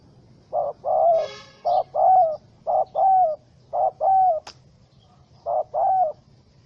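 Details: Spotted dove (Spilopelia chinensis), wild bird angry in a small rope trap, 04/07/2017: five double coos, a clipped note then a longer arched one, roughly one a second, with a brief buzzy rattle and a single click.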